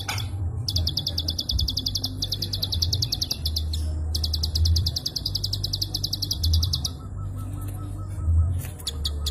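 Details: Prinia giving its klik call, used for tutoring songbirds: fast runs of sharp high ticks broken by short pauses into three bursts, then scattered clicks, with low humming background noise.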